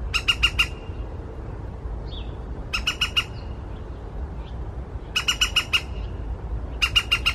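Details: Woodpecker heard in the morning, giving repeated bursts of four to six harsh, sharp squawks about every two seconds, with faint softer bird calls between and a constant low rumble behind.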